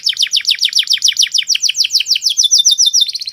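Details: Canary singing clear master song: quick downward-sweeping chirps repeated about three to four per second, ending in a short rapid trill.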